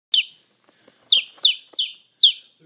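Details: Chicken chicks held close to a person's ear give five loud, high peeps, each sharply falling, spaced roughly every half second, with faint background rustling.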